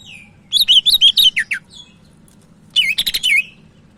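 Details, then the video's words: Sumatran leafbird (cak ijo Medan) singing briskly, a daily tutoring track: a quick series of wavering whistled notes dropping lower at the end, a pause, then a dense buzzy burst sliding downward. "Burung Cak Ijo Medan Gacor"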